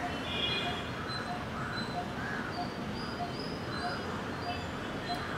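A Coppersmith barbet gives soft, low, hollow 'tuk' notes repeated steadily about every half second, against background hiss with thin high chirps from other birds.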